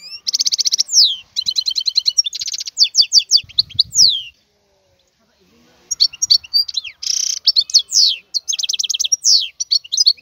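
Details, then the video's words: Wild European goldfinch singing two long bursts of tinkling trills, buzzy notes and downward whistled sweeps, separated by a silent gap of about two seconds; faint low rustling between phrases. "اسمع بأذنيك تغريد هذا الحسون البري"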